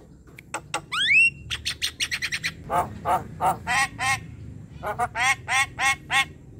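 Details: Black-winged starling in full song: a rising whistled slur amid quick dry clicks, then a long series of repeated scratchy, buzzy squawks at a steady pace.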